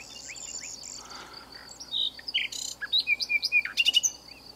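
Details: Common nightingale singing from hiding in a bush in the south of France. A bird that sang for nearly two hours gives scattered whistles and chips, then a fast run of loud, evenly pulsed notes building in strength.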